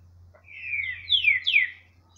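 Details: Great thrush song, known locally as trinca-ferro verdadeiro: loud clear whistled phrases, several descending slurred notes in quick succession over about a second and a half, with a steady low hum underneath.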